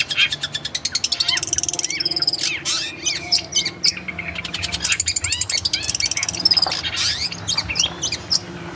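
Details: Long-tailed shrike song used as tutoring material for kept birds: dense, rapid chattering trills mixed with rising and falling whistled slurs, sustained with barely a pause.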